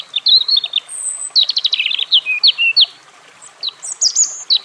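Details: European robin singing: a brief warble, a very high level whistle, a fast stuttering trill, swooping notes, then a pause before a final run of high squeaky notes.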